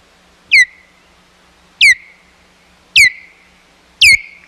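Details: Osprey at the Hog Island Osprey Nest, 11 May 2021, with intruding ospreys nearby: four sharp whistled calls, each sliding steeply down into a short trailing whistle, about one every second, with faint low thumps beneath.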